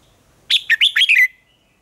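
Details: One crisp red-whiskered bulbul contest phrase: five loud, evenly spaced whistled notes, each swooping up and down, delivered in under a second before silence.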